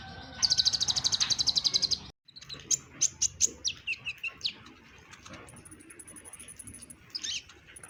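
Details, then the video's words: Kolibri ninja with brown breast giving varied song bursts: a fast high rattling trill, a brief gap, then a series of sharp descending chips slowing down, followed by thin high tones and soft chatter. "KONIN Kolibri Ninja DACOK Dada Coklat GACOR beragam tembakan || CHIRPING SOUND ||"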